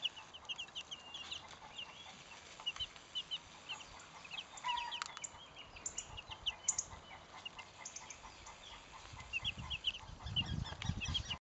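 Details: Salmon Faverolles chicks, 12 days old, several chicks cheeping faintly in thin high peeps scattered throughout, with a low rumbling noise near the end.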